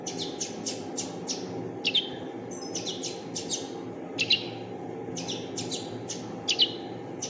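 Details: High, quick chirps from a fledgling common linnet, repeated in short series with a few slightly stronger notes, set against steady low background noise.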